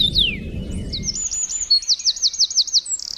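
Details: Bird chirping in the morning: a few sharp descending whistles, then a fast repeated trill of bright, looping high notes, about eight in a row, over low rumbling background noise at the start.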